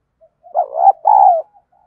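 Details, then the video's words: Spotted dove coo used to provoke rivals into fighting: a soft lead-in note, then two drawn-out mellow hoots, the second long and slightly falling. "cu gáy giọng đồng, cu gay kich boi nhanh noi gù"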